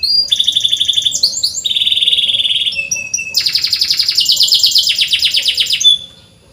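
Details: Canary singing 'cuit cuit' chirps, played to teach reluctant canaries to sing: bright trilled phrases switching pitch every second or so, with brief swooping notes and a long loud rattling trill near the end.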